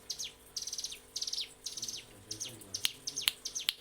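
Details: Mountain prinia master song for training captive birds: buzzy, trilled high chirp bursts in quick groups, then sharper separate ticking notes.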